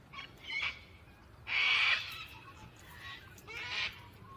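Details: Gang-gang cockatoo calling with a series of grating, creaky-gate rasps: a short scratchy note, a longer loud harsh call, then a weaker rasp and a final rough call, in a quiet setting.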